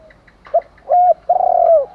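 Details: Spotted dove, male and female decoy doves cooing in the morning to call in wild doves: a short coo, a level held note, then a long slurred coo falling at its end, in one clear phrase.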